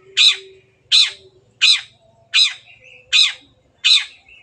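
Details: Long-tailed shrike, kept songbird, used as a lure to make other birds sing: six harsh, buzzy squawks repeated about every 0.7 seconds, broadband and loud, with a faint low hum beneath.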